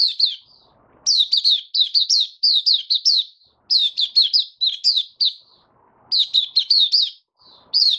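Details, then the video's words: White-eye recorded 23 March 2022 during warm humid weather, singing in an opening-song bout: bursts of quick, high, sweet chirping notes strung in rapid runs, broken by short pauses, with faint low knocks between phrases. "Mata Puteh Kitaro Video 1 buka sing"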